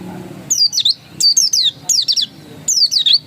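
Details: Pleci dakun white-eye in the insistent ngotot song style: four bursts of high, sharp, descending chirps, each group of quick down-slurred notes about half a second long, separated by short pauses, with a faint low hum beneath.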